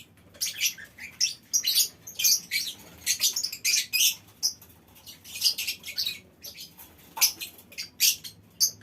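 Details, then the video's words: Lovebird colony in a small aviary, continuous harsh high-pitched chattering; dense run of rasping screech notes, nearly one every half second, with occasional whistled accents. "Suara Lovebird Koloni Bikin Burung Lain Ikut Ngekek Panjang"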